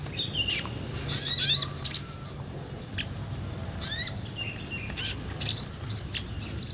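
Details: Sunbird (sogon) in energetic ngobra song, used to tutor other songbirds: scattered shrill chirps and buzzy twittering phrases with pauses between, ending in a run of quick high separate notes.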